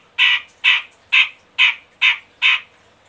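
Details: Grey-cheeked bulbul (Medan type), used as a lure to make other birds sing: six harsh, rasping notes about two a second, each a short scratchy burst, against a quiet background.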